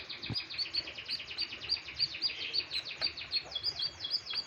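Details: Canary in strong breeding condition sings vigorously: a dense, rapid stream of high chirps and sweeping notes, about three per second, steady throughout with slight changes in syllable.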